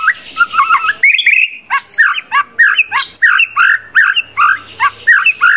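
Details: Loud, varied white-rumped shama contest song with mimicry, used as training song: chattering whistles, a long rising whistle, then a steady series of sharp slurred notes, roughly two per second.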